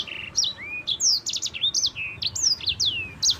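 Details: Clear rolling song from a champion yellow-fronted canary, aimed at drawing other birds into song: rising whistles, quick doubled chirps and long descending slurs flowing without pause.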